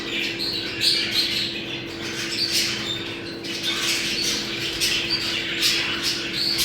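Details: Budgerigars chattering in a breeding-stimulation recording: busy overlapping chirps, clicks and short squawks from several birds, unbroken throughout, with a low steady hum in the background.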